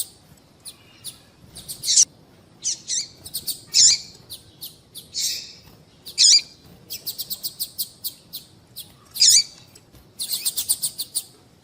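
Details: Repeated calls of a female double-collared seedeater, a sound said to make males sing: bursts of rapid, high, clicking ticks interspersed with louder sharp chirps, continuing with short gaps throughout.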